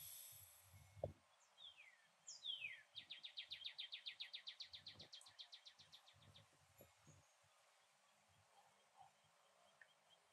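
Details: Yellow northern cardinal, a rare colour form, singing in a Port Saint Lucie, Florida backyard, captured by iPhone: two steep descending slurs followed by a long, quick series of repeated notes that gradually fade, with faint thumps and low background noise.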